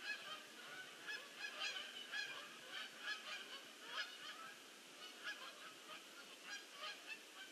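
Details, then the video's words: Many geese landing, October 2015; loud clamour of honks, individual calls pulsing roughly every half second over a continuous flock background. "GEESE LAND MANY GEESE"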